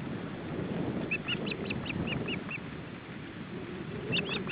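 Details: Osprey at the nest in July 2012, a male feeding his chicks, recorded by a nest camera: a row of short, high, rising-falling whistled chirps, about seven in two seconds, then a brief burst near the end, over steady low background hum.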